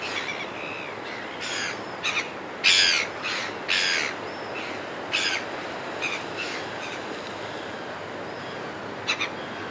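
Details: Several red-billed gulls in flight over a cliff top utter scattered raucous squawks and short barking cries, irregularly spaced through ten seconds, with a loud wind-like rushing backdrop.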